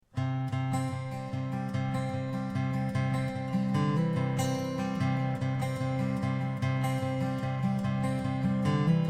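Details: Strummed acoustic guitar with a steady plucked bass line plays throughout, and no animal is heard.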